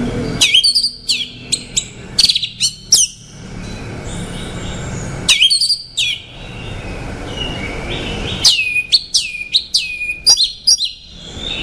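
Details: Song of an orange-headed thrush, with three rapid phrases of sharp, high whistled notes that often slur downward. Quiet gaps carrying a soft reverberating tail fall between them.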